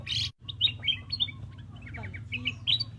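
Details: Brisk chirping by a black-crested bulbul: a loud burst at the start, then short bright slurred notes in quick succession over a low hum.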